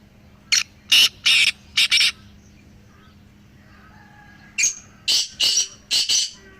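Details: Three black francolins calling, their voices used to encourage a silent pet francolin to call. Two bursts of harsh, grating notes: a phrase of about five rasping notes, a pause of roughly two seconds, then another five-note phrase. Steady low hum behind.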